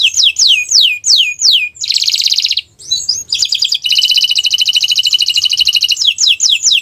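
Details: Canary song for training other birds, in the 'owor-owor uhuii' style. It opens with quick descending whistled sweeps, then a harsh buzzy burst, a short gap, and a long rapid trill before closing with more sweeping notes.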